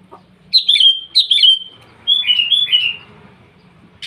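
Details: Sooty-headed bulbul singing vigorously in the morning to call rivals: two bright, slurred whistled notes, then a short run of three quicker descending whistles, with a faint low background hum.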